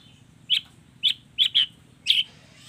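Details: Long-tailed shrike delivering sharp, clipped chirps spaced roughly half a second apart, some doubled, in a lively combination song.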